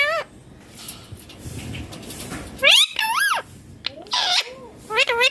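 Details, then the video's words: Ringneck parrot calling naturally: a low warbling note, then loud harsh screeches in descending pairs and a final rising-falling squawk, separated by pauses with soft room noise. "Ringneck Parrot Natural Sounds || Parrot Voice Original"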